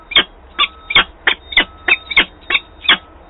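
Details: Peregrine falcon, a female coming back to the nest at Wałbrzych, Poland, on 26 April 2022, gives eight rasping, scratchy notes about every third of a second, over a low faint hum.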